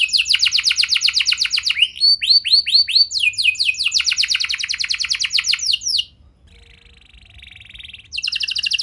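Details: Canary song for coaxing other canaries to sing: fast repeated trills, a run of arched whistles, another long rattling trill, a soft buzzy phrase, then the trill resumes.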